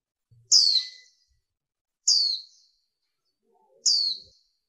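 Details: A female warbling white-eye, used to stimulate males to sing, gives three sharp, high, downslurred chirps about every one and a half seconds against an otherwise quiet background.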